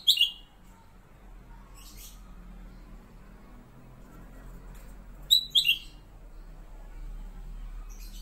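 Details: Kept black-capped bulbul (kutilang emas), a master bird for training magpie-robins, singing its fairly monotonous song: a short whistled phrase, a high note dropping to a lower slurred one, at the start and again after five seconds. Quiet background hum.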